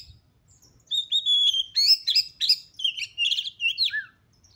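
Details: Female Oriental magpie-robin lure sound, meant to agitate males into spreading their tails and fighting; after a quiet second, a rapid run of clear whistled notes and sliding, buzzy phrases, ending on a lower downslurred whistle.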